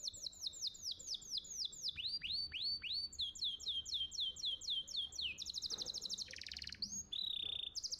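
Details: Master song of a champion contest canary for training young birds: a run of repeated downslurred whistles about four per second, rising swoops, then a buzzy rapid rattle and a sustained bright whistle.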